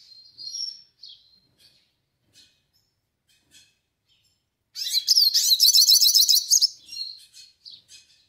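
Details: Melodious song of a yellow-faced siskin: faint, thin high chirps spaced through the first seconds, then an intense run of rapid, metallic twittering and buzzy trills lasting about two seconds, followed by several short, softer notes.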